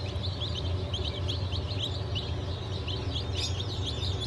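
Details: Fresh hatch of Legbar, Silver Wyandotte, Sussex and GSG Wyandotte chicks from 28 June 2023, many chirping together in short, high, downward-sliding peeps throughout, with a constant deep droning hum beneath.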